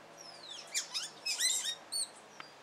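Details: Male Carib grackle singing while courting his mate: a short burst of high squeaky, sliding whistles and chattering notes, then a brief clear double whistle and a faint click.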